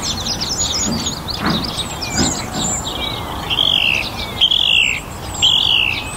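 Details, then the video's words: A song thrush in a North Antrim garden on a warm, sunny spring evening repeats a loud, clear, slightly falling phrase three times in quick succession over an evening chorus of high chirps. "Song Thrush - evening chorus"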